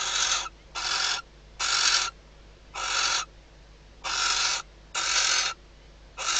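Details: Nighttime nest-box recording of a female barn owl in the Ebro Delta calling to the male as he arrives, days before hatching. Seven to eight rasping, broadband hisses in fairly quick, slightly irregular succession.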